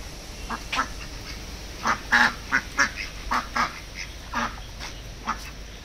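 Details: Hand-reared pet ducks, raised from eggs, calling with a run of harsh, nasal quacks, loudest and most crowded in the middle, then trailing off into occasional single calls against faint constant background noise.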